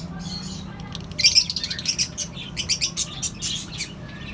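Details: A colony of lovebirds, cockatiels and budgerigars breaking into rapid, busy chirping after a quiet first second, with many overlapping high tweets in quick succession over a faint low hum.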